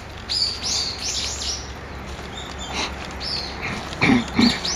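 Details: Brown-eared bulbul calling in the morning, 26 November, its usual voice: a quick run of high arched squeals at the start, quieter notes mid-way, then sharp calls with a couple of dull low knocks near the end.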